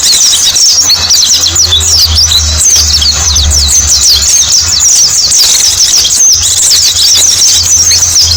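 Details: Flock of white-eyes in a lure recording chatters constantly in high, fast chirping phrases, densely layered, while a low rumbling hum runs beneath.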